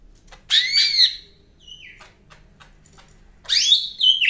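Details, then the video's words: Greater green leafbird of the Medan type singing energetically, recorded as master song for training other birds: two loud, rich whistled phrases sweeping and arching high, separated by soft clicks and a quiet gap. "BURUNG CAK IJO MEDAN GACOR NGAMUK"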